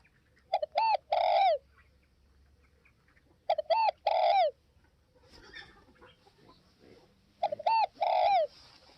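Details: Spotted dove, northwest Vietnam: three coo phrases of two short notes plus a longer descending coo, about every three and a half seconds, with soft scraping noises between.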